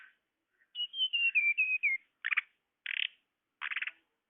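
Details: Tledekan lure recording used to attract birds: a series of high, clear whistled notes that step slightly downward, then three short buzzy rattling bursts spaced about half a second apart.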